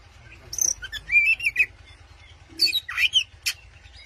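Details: Short burst of white-rumped shama song aimed at provoking a rival: a high whistle, a warbled rolling phrase, a pause, then harsh buzzy notes and a sharp click, low hum in the background.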